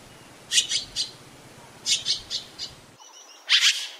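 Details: Azure-winged magpie chattering: two quick runs of three or four rasping notes, then after a break a single louder, drawn-out harsh call.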